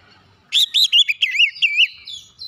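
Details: Short, fast Oriental magpie-robin phrase meant to stir silent magpie-robins into singing: about seven loud, looping whistled notes in quick succession, each bending down then up.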